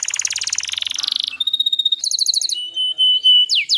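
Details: Canary song from a training recording meant to get silent canaries singing: a fast buzzy trill at about four per second, then a steady high whistle, a clipped repeated phrase, a long flat tone and two quick downward sweeps.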